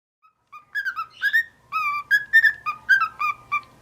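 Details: Pet white-faced cockatiel, a male, kept indoors and just starting to talk, giving a run of short whistled notes about a second apart, each rising then falling, with a person speaking nearby.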